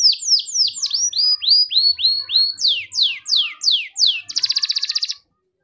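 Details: A grey canary sings a string of clear descending whistled notes about four per second, then quicker upslurred sweeps, ending in a short fast buzzy trill before falling silent.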